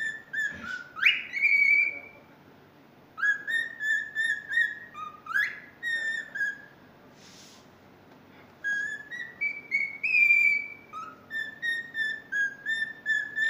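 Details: A cockatiel tries to whistle the Totoro tune in clear, sliding phrases broken by short pauses.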